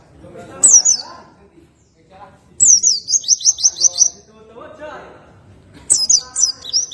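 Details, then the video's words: Oriental white-eye in relaxed tembakan ngroll singing: high, rapid rolling trills in bursts of about a second and a half, with murmured voices and low background sounds between phrases. "PLECI NGROLL TEMBAKAN SANTAI || MASTERAN RELAKSASI PLECI BUNYI"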